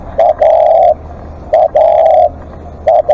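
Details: Spotted dove calling at length as a live decoy, repeating a brief coo and a drawn-out steady coo three times in quick succession, with scattered clicks.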